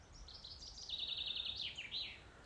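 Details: Common chaffinch on a woodland walk to Heronsford, Scotland, singing one high, bright phrase of quick notes that starts a bit like a willow warbler, slides downhill and ends in a twisting flourish, over faint background hiss.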